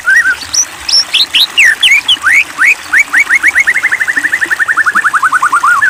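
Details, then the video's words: White-rumped shama delivering loud provoking song: scattered bright whistles and sweeping notes at first, then a long steady run of rapid repeated notes that gradually drop in pitch toward the end. "Pancingan Murai Batu !! Terbukti Ampuh Memancing EMOSI Murai Batu Agar Bunyi Gacor !!"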